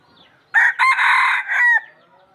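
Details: Red junglefowl crowing, recorded in 2023: one harsh, hoarse crow of about 1.3 seconds, opening with a short clipped note, then a longer sustained phrase that briefly dips mid-way and ends abruptly, over a quiet background.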